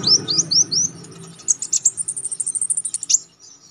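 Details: Contest-training song of a konin (Olive-backed Sunbird): four rising whistled slurs, then a fast, rattling series of very high, sharp notes that ends with one emphatic upsweep.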